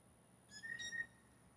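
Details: Single short two-part whistle from blue jays in a courtship contest over a female, clear and tonal with ringing overtones, about half a second long against a quiet background.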